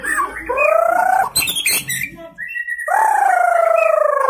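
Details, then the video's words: Caged young white-rumped shama, newly moulted from juvenile plumage, delivering long, rich, slightly rising whistled notes with a trilled, vibrating quality, broken by a burst of sharp clicks between them. "Murai Gacor Muda Lepas Troto Muntah Isian Main Satu Tirik"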